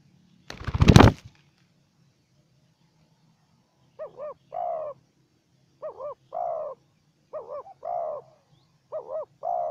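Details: A wild spotted dove answering a decoy dove, which it met only briefly before flying off. A loud knock opens, then four evenly spaced phrases of doubled short coos, each ending in a longer rounded coo.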